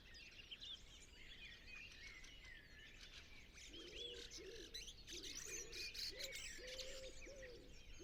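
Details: Wood pigeon at sunset in a natural reserve, recorded on a Zoom F6 with a Sennheiser MKH 8040. A run of low, rounded coos begins midway and repeats steadily beneath bright chirps and whistles of other birds.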